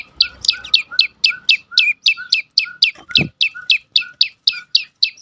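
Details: Prinia (prenjak lumut) song used as a lure to prompt other birds to sing: rapid series of sharp high chirps with downslurred tails, about four per second, with a brief dull thump midway.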